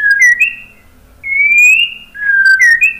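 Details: White-rumped shama whistled song, used to get other birds singing: three long clear whistles separated by brief pauses, the first and last with a quick downward flick, the middle one slowly rising.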